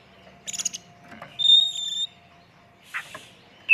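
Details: Oriental magpie-robin song used as a lure, a full 'isian tembakan' style: short chattering bursts, a clear sustained high whistle, a harsh noisy rasp and a final sharp whistled note, with a faint low steady tone underneath.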